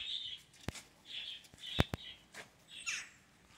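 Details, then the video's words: Neighbourhood jackdaws, called in the morning to be fed breakfast, give short, harsh, squeaky calls about once a second, with several sharp knocks or taps between them. "Calling the jackdaws for breakfast"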